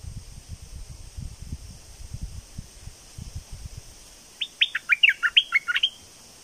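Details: Red-whiskered bulbul, a bird said to be raising young, sings one fast phrase of about eight whistled notes near the end, after several seconds of low rumbling noise, with a steady high hiss throughout.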